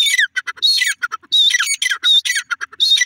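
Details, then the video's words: Young Iranian desi francolins give loud raspy squawks, each note sweeping downward. The calls come in clustered bursts with short silent gaps, roughly one and a half per second. "irani desi teetar ke bache teeter awaaz"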